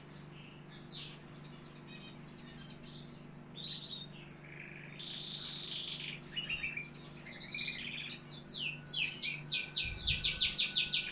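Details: Canary from Algeria in a long varied song: whistled notes, buzzy warbles and rapid sweeping trills, building to fast loud repeated notes near the end; steady low hum beneath.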